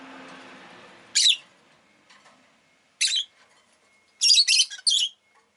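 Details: Rosy-faced lovebird calls harsh, high chirps: single notes, then a quick run of three. Faint street noise sits under the start.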